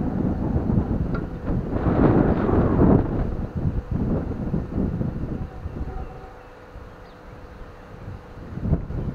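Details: Strong wind buffeting the microphone over a low, rumbling engine-like drone, loudest in the first three seconds and easing later, with no bird or other animal call standing out.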